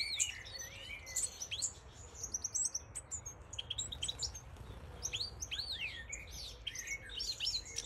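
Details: Goldfinch of the major subspecies, also called Siberian goldfinch, delivering a lively, liquid twitter of sharp upward and downward slurred notes in irregular bursts, with a soft low rumble underneath.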